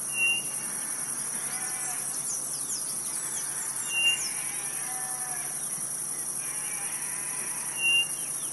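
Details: Quail of the Northeast repeating a short, plain whistle three times at roughly four-second intervals, with softer lower calls and faint chirps between them and a steady insect hum.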